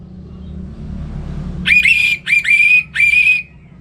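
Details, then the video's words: Caged orange-headed thrush in Singaraja, North Bali, in the morning, kept to tutor other songbirds: three loud, rich, slightly buzzy sustained notes in a row, each under half a second, over faint low hum. "ANIS MERAH Ngeplong Gacor Untuk Pancingan & Masteran Burung"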